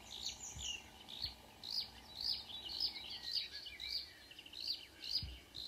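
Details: Early-morning Marsh warbler song near Ski, Norway, 2 June 2009, a mimicking singer: rapid run of high chirps and whistled slurs about twice per second, steady faint hum in the background.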